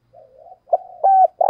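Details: Spotted dove calling to train newly caught birds, a soft wavering murmur followed by short louder coos and a steady held note, cut off as another coo begins.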